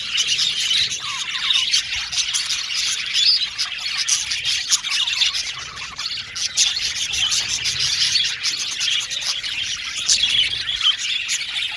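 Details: Male blue and violet budgerigars kept in a colony aviary, a steady, crowded chorus of rapid chirps, warbles and scratchy squawks from many birds, with no pauses.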